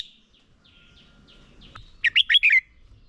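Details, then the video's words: Caged red-whiskered bulbul decoy singing competitively to train other birds; faint thin whistles drift in the background before a short loud phrase of four rich, slurred, warbling notes near the end. "Chào mào mồi hót đấu quá tuyệt - Luyện giọng Chào mào hót hay ép bổi sổ bọng và căng lửa"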